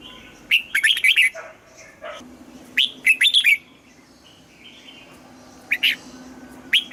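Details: Red-whiskered bulbul singing in the morning during voice training for a double-note, mature wild-style song: repeated short warbling phrases of quick whistled notes, some softer lower notes, and a steady low hum beneath.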